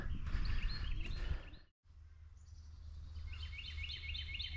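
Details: During a fishing trip on the water, Carolina wrens chirp up a storm: loud, rapid repeated chirping phrases, about three per second, over low rumbling wind and water noise, with a brief drop-out midway.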